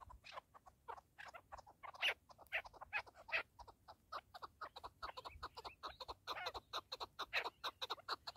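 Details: Keklik, a partridge: a steady stream of brief, clipped chuck notes packed closely together, some louder accents around two to three seconds and again near the end.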